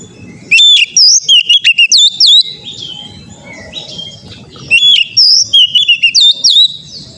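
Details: Training song of an Oriental magpie-robin, aimed at making birds sing readily. Two rapid runs of crisp, high, sweeping whistles, each about two seconds long, with subdued twittering between them over a rumbling low background.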